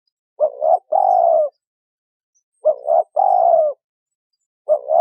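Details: Spotted doves, a male and a female of wild stock, calling to provoke a decoy dove. Phrases of a doubled, bending coo followed by one long, steady hoarse note, repeated every two seconds or so.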